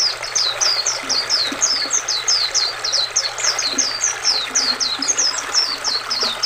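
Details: Continuous, rapid twittering from an oriental white-eye: many thin, high, downward-slurred notes tumbling together at moderate volume above the constant hush of flowing river water.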